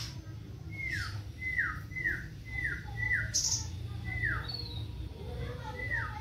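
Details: Black-tailed white-rumped shama from Indonesia in fighting-style song with tree sparrow imitations, fast and rough-toned: clear whistled notes sliding downward, repeated about every half second, over a steady low hum.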